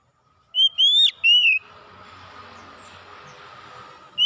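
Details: Oriental magpie-robin, recorded to bring a bird that stopped singing back into song: a short burst of three bright whistled notes with a sharp downward slur, followed by a steady hissing noise.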